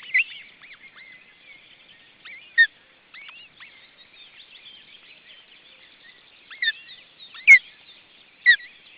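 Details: Osprey at the nest with its second chick, Estonia, June 2012. Several short, piercing downslurred whistles come in an irregular series, with faint chirping and twittering from other birds throughout.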